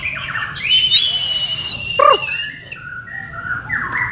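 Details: White-rumped shama of the Borneo type in a shared training session, giving a loud high whistle over a lower held tone, then a sharp down-slurred note and a run of short fluty phrases.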